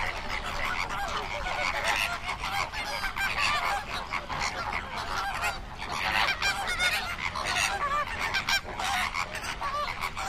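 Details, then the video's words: A large gathering of flamingos producing a steady, overlapping din of honking, nasal calls, rising and falling in loudness throughout. "Flamingo bird facts and sound for kids"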